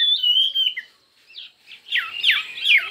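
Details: Chinese hwamei singing a fiery, many-voiced contest song. A steady, high whistled tone runs for nearly a second, then after a quiet gap come loud swooping, slurred phrases.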